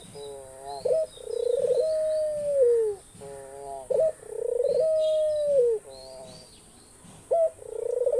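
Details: Australian dove calling in a repeated phrase: a short clipped note, then a long, smooth, slightly wavering coo that slides down at the end, repeating about every three seconds, with faint twittering from other birds above.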